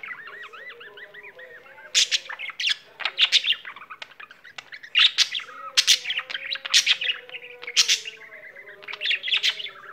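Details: Pet budgie that won't stop singing opens with wavy, bubbling whistled notes, then breaks into loud harsh chatter of clicks, squeaks and bright chirps for the rest.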